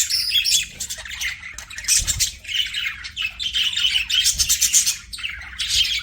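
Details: Pet budgerigars chirping in a busy, continuous warble of squeaky, buzzy notes, with brief bursts of brighter chirps and short pauses between phrases.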